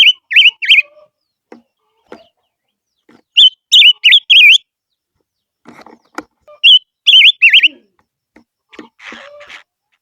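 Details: Silver-eared mesia repeats its lure song in three short bursts of wavering, looping whistles, with faint clicks, knocks and a brief rustle between them.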